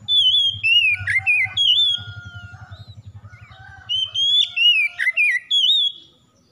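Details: Oriental magpie-robin (kacer) delivering bright whistled phrases with sweeping slurs and sharp chirps, over a steady low pulsing hum that fades midway, then a second burst of clear whistles.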